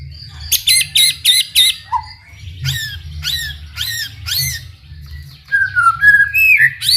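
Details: White-rumped shama song used to provoke other shamas into singing: loud chopped repeated notes in quick series, then a pause, more repeated downslurred phrases and a low whistled ending, with a steady low background hum.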